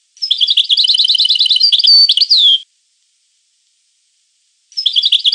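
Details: European goldfinch delivering a rapid, tinkling twitter of about two and a half seconds, mixed with drawn-out thin whistles and closing with a descending slurred note. A fresh phrase starts after two seconds of silence.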